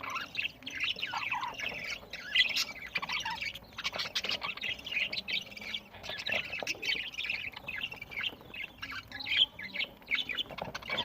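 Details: Budgies kept as pets, recorded while eating on 1 November 2023 in Larkana, Sindh: a busy flock chatter of overlapping high chirps, squeaks and warbled twitters, continuous throughout with no clear pauses.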